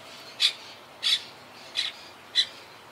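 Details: Wild Monk parakeets of a yacht club colony that lost about half its members to hurricane Irma in 2017; four short harsh squawks evenly spaced about two-thirds of a second apart over quiet background.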